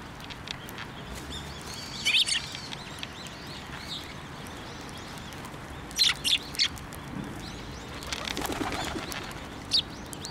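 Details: Sparrows approaching to be fed at a Tenmangu shrine, 15 December 2023, utter sporadic thin high chirps, singly and in short groups of two or three, amid quiet background twittering and low ambient rumble.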